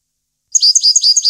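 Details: After a silent start, a European goldfinch gives a string of five or six quick, slightly buzzy high chirps in steady rhythm, recorded in 2015.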